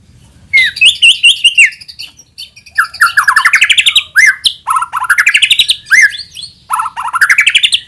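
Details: White-rumped shama singing a rich, loud, varied song meant to trigger other shamas into full song: clear whistled phrases, then repeated rising slurred notes in fast series with brief pauses between bursts.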